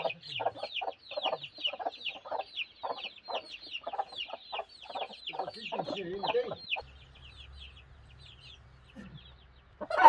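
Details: A broody hen clucks rapidly and repeatedly for around seven seconds, short harsh notes in an even chain, then falls quiet under a low hum before a sudden louder sound at the very end.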